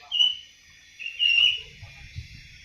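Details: Seven-month-old awar-awar beginning to sing, giving two clear, high drawn-out whistles followed by soft low rumbling.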